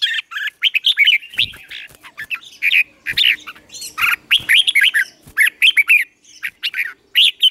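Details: Red-whiskered bulbul morning song used for song training, with bright, bubbling chirpy phrases in quick bursts of roughly two or three a second and sharp high notes between them.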